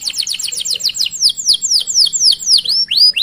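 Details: Canary song, a master recording meant to prompt other canaries to sing: a loud, fast series of high sweeping notes, each dropping sharply in pitch, repeated about four times a second, later slowing into rising upswept whistles.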